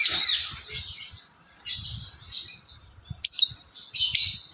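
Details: Yellow lovebird kept in a cage, chattering with rapid buzzy high chirps in irregular bursts, a few sharp squeaky notes, and light low thumps in the background.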